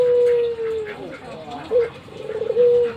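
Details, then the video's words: Head-bobbing albino Barbary dove, a pet, ends a long level coo, then gives a short rising hoot and begins another sustained, slightly falling coo. "Burung puter Albino saya gacor manggut"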